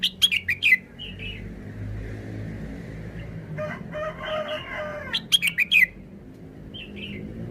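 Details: Thai caged red-whiskered bulbul singing short, easy wild-style phrases: a fast cluster of sharp whistled notes, soft chirps, a crowing sound in the middle, then the bright whistled cluster again over steady low background hum.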